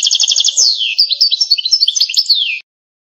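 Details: Pipiniere-style campero song from an authentic Algerian goldfinch: a fast rattling trill, then varied chirps and slurred downward whistles in quick succession, ending abruptly with a falling note before silence.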